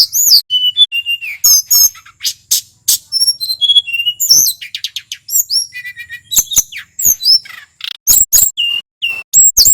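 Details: Local male tledekan from Mount Merapi in full, rolling song for provoking other birds: continuous stream of high whistles, trills, sharp ticks and short level tones, nearly ten seconds without a break.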